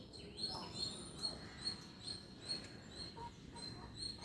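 Guineafowl give thin, high peeping notes, repeated about every half second in a steady soft series.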